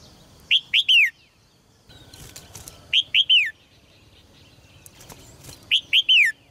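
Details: Red-whiskered bulbul kept in a cage, song meant to push males to sing strongly: three quick phrases of three clear, falling whistled notes, repeated roughly every two and a half seconds, with faint rustling and clicks between.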